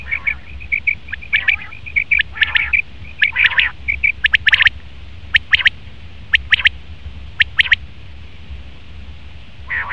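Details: Male common quail delivering sharp high triple notes, overlapped at first by a run of thin, level whistles and low rasping sounds, then clearer spaced phrases.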